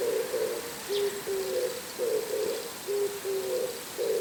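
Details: Oriental turtle dove calling in the morning from a house antenna: low, hoarse cooing notes in phrases of about four, alternating rough and clearer tones, repeating steadily with short gaps; a faint high chirp briefly in the background.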